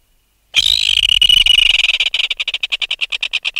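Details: Adult red-billed tropicbird out of its nest, alarmed and recorded close: after a short silence a loud, piercing scream of over a second gives way to steady, rapid rattling pulses.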